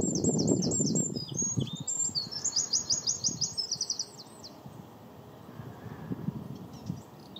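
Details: Black-winged stilt at Belvide Reservoir on 26 April 2023, giving a quick run of sharp, high, repeated notes for about four seconds, with wind rumble underneath.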